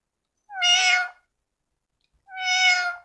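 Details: Talking female parrot giving two evenly spaced, loud, rich harmonic calls of about two-thirds of a second each, steady in pitch, in a quiet room.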